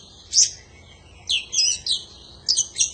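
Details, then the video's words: Oriental magpie-robin (kacer) giving energetic 'gacor' panjingan song for bird training: a loud shrill note, then a run of sweet whistled and scratchy syllables, ending in quick sharp notes. "Suara panjingan masteran burung kacer gacor"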